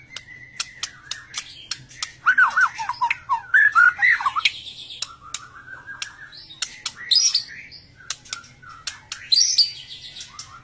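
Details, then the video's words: Wild songbirds at a big red teacup feeder, with sharp high chirps, buzzy trills and squawky notes coming in bursts, some near-steady whistled tones, and clicks of birds moving on the feeder. "Bird singing and chriping beautiful birds singing and chriping on the big red tear cup bird feeder"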